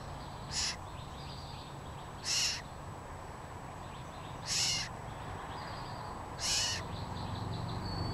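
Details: California scrub jay at the nest, captured by a GoPro Hero3+ in early April: four loud, grating, rasping calls roughly every two seconds, with faint high whistles from other birds between them and low steady hum beneath.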